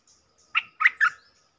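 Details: Three short, slurred chirps from a stripe-throated bulbul, spaced evenly within half a second, in a quiet setting.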